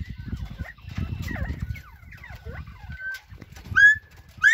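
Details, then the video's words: Bobwhite quail chatting together: a busy mix of soft slurred chirps and short whistles, ending in a sharp, loud rising whistle, over low rumbling background noise. "bobwhite quail chatting it up"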